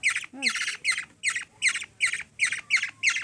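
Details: Hungry young black-naped oriole, kilyawan, in the Philippines, begging while being hand-fed by a three-year-old girl: harsh buzzy squawks repeated about two or three times a second, with a brief child's voice early on.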